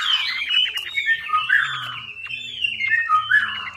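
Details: Chinese hwamei, or melodious laughingthrush, song used as a lure to get a silent hwamei singing; rich, full warbling phrases of whistled notes sliding up and down, with a faint low hum underneath.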